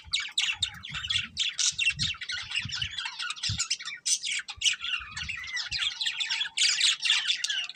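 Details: Budgerigars, a breeding pair, chattering in dense, fast warbling chirps and squawks with brief gaps, plus low soft thumps now and then.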